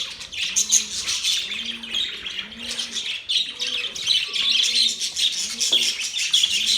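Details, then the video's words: Budgies chirping happily: a dense flock chatter of high, scratchy chirps and warbles running without pause, with faint soft low tones underneath. "Budgies Birds Happy sounds | Budgies birds chirping sounds"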